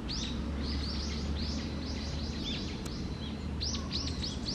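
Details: Japanese tit calling wild in Okurayama Park, giving clusters of bright, high, down-curving chirps that come in quick bursts, with a loud low rumble of background noise throughout.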